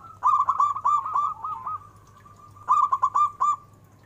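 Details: Local zebra dove with a big, special voice gives a rapid rolling series of hollow coos that fades into a sustained note, then a second quick burst of five notes; steady low hum behind.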